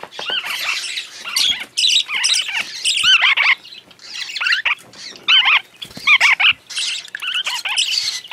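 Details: Hand-fed young parakeets begging while being fed, with scratchy, squawking calls tumbling over one another in busy bursts separated by short gaps.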